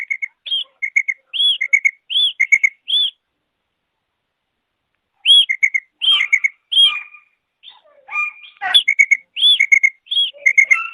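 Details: Female quail giving high, clipped chirps in rapid clusters. A pause of about two seconds splits the clusters, then the notes resume more densely with a few rougher, lower notes mixed in.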